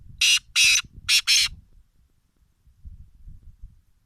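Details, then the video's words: Partridge giving harsh, loud, raspy squawks: four broad noisy bursts in quick succession, the last two close together, followed by a quiet low rumble. "Tetar sound"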